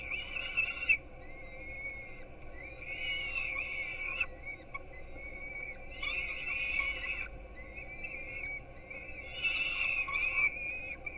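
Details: Young peregrine falcons being fed breakfast on a Gdynia, Poland, nest cam at 4:21 am: bouts of harsh, drawn-out whining every few seconds, separated by thinner wavering calls, over a constant low hum.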